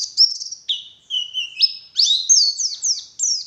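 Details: Morning lure song of a white-eye (pleci) in the wild 'ngalas' style: high twittering notes, then a lower, steadier whistled tone, followed by quick high descending slurred phrases, with no background noise.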